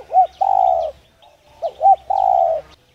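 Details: A spotted dove's coo, used to spur other doves into cooing. Two phrases, each a pair of quick rounded notes followed by a drawn-out low hollow coo, with faint twittering of small birds in the background.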